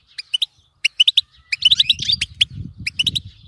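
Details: European goldfinch bitbita chatter used to stimulate a goldfinch to keep singing: short bursts of high clipped notes, one rising slurred phrase midway, with a low rumbling murmur through the second half.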